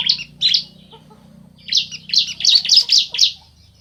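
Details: Male and female bar-winged prinias calling in answer: two sharp, high chirps, a pause, then a quick rising series of about seven loud chirps.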